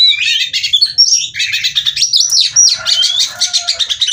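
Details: Singing female white-rumped shama used to stimulate others: dense, rambling mix of harsh chatters, trills and bright whistled slides, continuous throughout.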